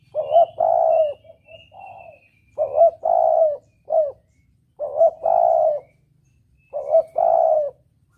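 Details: Lure recording of a spotted dove in "kuk dobel" style for hunting: four evenly paced phrases of soft, throaty coos, each a quick lead-in note, a long sustained coo and a short ending, with a faint high whistle early on.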